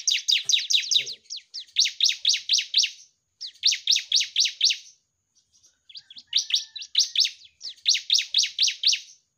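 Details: Bar-winged prinia, known locally as ciblek, singing lively as a tutor recording for caged birds: bursts of rapid, sharp downslurred chirps repeated about twice a second, separated by short pauses, with a few softer notes between bursts.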